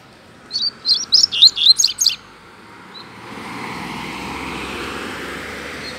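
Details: Free-flying wild double-collared seedeater singing in a residential neighbourhood: a quick run of about eight sharp, high, slurred notes over under two seconds, then steady background hiss of outdoor noise.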